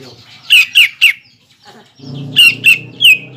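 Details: Lure song of a greater green leafbird meant to provoke birds into fighting form at contests: two quick sets of three bright, descending whistled notes over a faint low hum.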